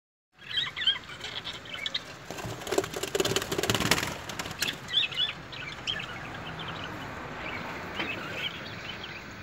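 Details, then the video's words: Parrots fighting: busy, scratchy chirps and harsh squawks in the upper range, bursts of broadband noise and flapping around the middle, continuing as a noisy chatter to the end. "Parrot fighting"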